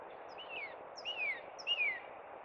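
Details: Three sweet downslurred whistles, each falling in pitch, from a northern cardinal singing in spring at Cub Run, against a low continuous hiss.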